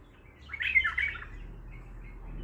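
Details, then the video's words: A single quick burst of Baghdadi-style song from an untrained bulbul, a bright, bubbling, slightly rising warble lasting under a second, then a faint hum. "بلبل طور بغدادي خام"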